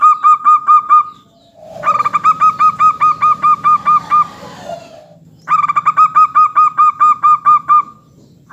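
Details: Local zebra dove singing steadily, used as a lure recording to set other doves calling: bursts of rapid, evenly repeated cooing notes, about two per second, with brief pauses between phrases.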